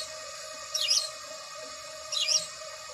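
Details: Two sharp, high chirps from a house sparrow, spaced more than a second apart, against a constant humming drone.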